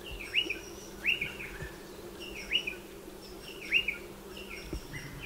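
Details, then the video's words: A striated pardalote at its nest burrow in a dry stone wall gives sharp rising chip notes, each with a softer trailing note, spaced about a second apart over a low background hum. "Striated Pardalote calls and behaviour"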